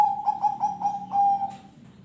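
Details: Zebra dove song, used as a lure to prompt other birds to sing: a run of about six short, evenly spaced mid-pitched coos, then one longer held note, with a faint low hum underneath.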